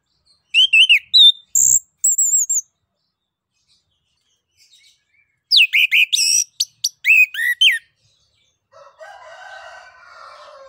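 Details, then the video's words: Orange-headed thrush in ngeplong song, used to prompt other birds to sing: bouts of loud whistles, slurred high squeals and quick chattering phrases, with a quiet pause between them and a soft hiss at the end. "ANIS KEMBANG NGEPLONG UNTUK PANCINGAN"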